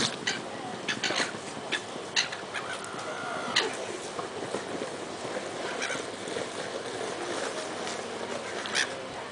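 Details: At Lymington on 26 April 2010, a couple of black-headed gulls have a squawking match, trading harsh, clipped squawks in overlapping bursts with one drawn-out grating cry against a steady noisy background.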